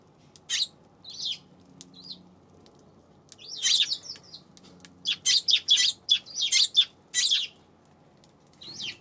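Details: Eurasian tree sparrow on 7 February gives scattered single chirps, then a dense run of loud, rapid chirps, ending with one more isolated note.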